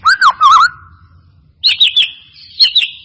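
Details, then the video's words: White-rumped shama song used as a lure: a warbling low whistled phrase, pause, then bright high whistled notes in two short groups with lingering echo. "Pancingan murai batu mancet bunyi ‼️ pancingan murai batu males bunyi‼️respon cepat"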